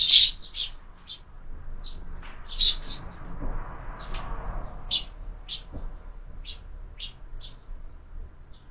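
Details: Sparrows feeding at a feeder fixed to a window at lunchtime, with scattered high sharp chirps and brief double notes spread irregularly through the stretch, a louder burst at the start, over a faint low room hum.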